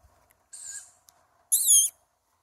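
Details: A young tawny owl begs for food, giving a softer hiss followed by a louder, harsh, rasping screech with a slightly falling wavering tone, in quiet surroundings.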